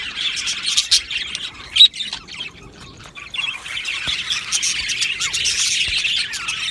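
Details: Australian budgies in an aviary chirping: a squawky, warbling chorus that dips quieter in the middle, then builds again into steady overlapping chatter with single sharp chirps.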